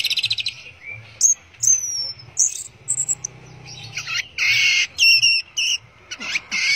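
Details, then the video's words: Orange-headed thrush, 'teler' song style: thin high whistles sliding downward, then loud rough buzzy bursts alternating with brief clear whistled notes, delivered in irregular phrases. "Burung Anis Merah Teler"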